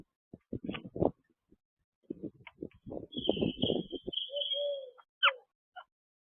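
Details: Rose-ringed parakeets eating peanuts on 16/12/23 give a few high, thin chirps and a sharp down-slurred squeak over steady crunching and cracking sounds of feeding.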